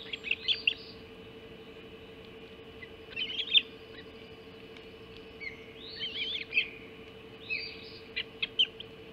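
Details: Ospreys at the Hog Island nest, 04.50 on 30 June 2016, as breakfast mackerel is brought in: short clusters of high, shrill chirping notes recurring every few seconds over a constant low hum.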